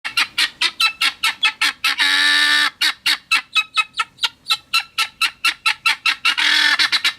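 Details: A guineafowl on a farm in the Hérault, France, gives a rapid run of harsh, grating chek notes broken by two longer cries, a vigilance and disturbance call that can alert the flock, given naturally without human intervention.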